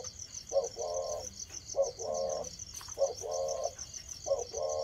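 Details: A spotted dove beginning to coo gives four even, low phrases about every 1.2 seconds. Each has a brief clipped note, then a longer soft humming coo, over steady pulsing insect noise.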